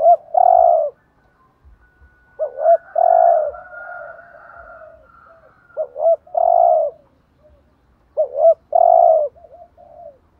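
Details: Spotted dove decoy calling in the driving 'thúc gù' cooing style used to lure and excite wild doves. Three phrases about three seconds apart, each two short rising notes then a long, mellow, low coo, with a quiet background.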